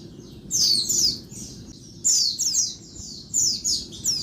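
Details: Noisy daytime calls of a female Oriental white-eye, used to spur males to sing: bright, high, descending chirps bunched in two- to three-note bursts roughly every second and a half over soft background hiss.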